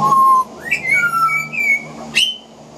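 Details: Two juvenile pied butcherbirds practise their songs: a steady clear whistle, then a swooping rising note into level fluty whistles, ending in a sharp bright upslurred note. A juvenile magpie practising its carolling is also noted in the background.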